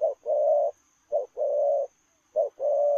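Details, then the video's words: Running spotted dove cooing in the 'lèo rồng' manner: three low phrases, each a brief note then a long even hoarse coo, spaced about 1.2 seconds apart, with a thin steady hiss behind. "Gù Lèo rồng vừa chạy vừa gù"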